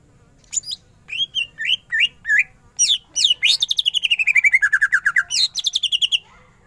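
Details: Greater green leafbird in emotive 'gacor' song with 'ngentrok' phrases: sweeping whistled notes, then a long rapid trill of repeated notes falling in pitch, and a final fast run.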